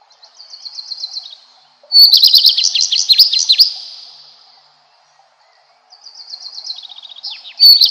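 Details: Redstart song in loud, rapid phrases of high trills and chirps, each fading out, separated by a short silence, then a soft run of repeated notes rising into another loud burst.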